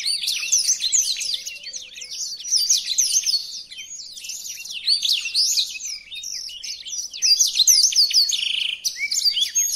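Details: Song of a blackthroat, meant for tutoring caged songbirds: long chattering stream of quick, high chirps and downslurred whistles, about three notes every second, uneven in rhythm, with a brief buzzy note near the end.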